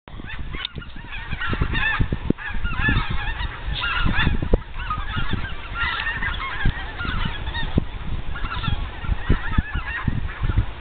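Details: Flock of geese flying overhead at sunset, heard during an afternoon shed-hunting outing; many overlapping nasal honks, repeated continuously and clamorous, with low rumbling wind noise underneath.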